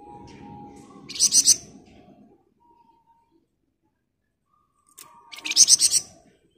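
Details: Flamboyan bird in fast 'ngebren rapat' song, meant as a training master for other birds: two short bursts of quick, sharp high notes about four seconds apart, with near silence between them.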